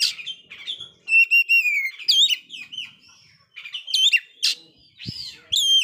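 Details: Oriental magpie-robin that did not complete its moult, singing hard to rouse other listless kacer: repeated loud whistled phrases with harmonics, sharp upswept notes and short buzzy trills in quick alternation.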